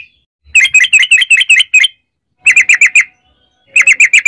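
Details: Yellow-vented bulbul singing a long rapid 'ropel' series, used as a lure to prompt other bulbuls to sing: three bursts of quick, bright chattering notes, about seven, then five, then five, separated by short pauses.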